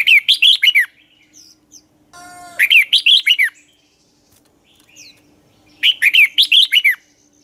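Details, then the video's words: Dueling song of a red-whiskered bulbul kept as a lure bird: three bursts of quick, looping whistled phrases, with a brief buzzy harmonic note between the first two bursts. "chào mào hót đấu"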